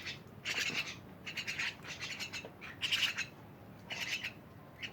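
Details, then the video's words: Mynas calling in a lively group, somewhat distant: several short, raspy chattering bursts spaced irregularly, with occasional clearer squeaky notes inside them, over steady background noise. "rame bersama burung jalak"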